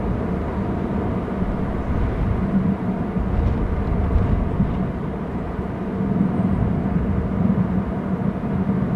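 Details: Steady low rumbling outdoor noise, like distant traffic or wind over water, with no clear animal calls.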